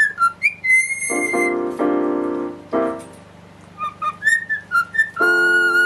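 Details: Female cockatiel whistling a song while her owner plays an electric piano: clear tonal whistles, some sliding, alternating with sustained piano chords, whistled notes resuming over the chords near the end.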